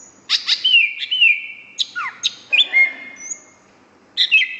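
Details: Greater green leafbird singing vigorously: sharp chirps followed by long drawn whistles, downward-sliding notes and short clipped phrases, ending after a pause with a rough high chirp.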